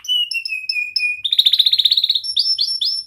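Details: Young canary singing for juvenile birds to copy: level piping whistles repeated about five times, then a rapid, loud rolling trill of clipped notes, ending in three rising upswept chirps.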